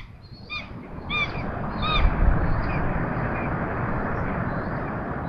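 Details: Common buzzards at feeding time in Tiszalök, Hungary: short arched whistled notes with bright overtones, three in quick succession around the first two seconds, then fainter ones, over a steady low rumbling background.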